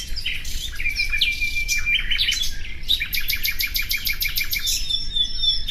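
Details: Common nightingale gives short chirps and a clear sustained whistle, then a steady run of rapid, evenly spaced sharp notes forming a rattle, ending in thin high whistles.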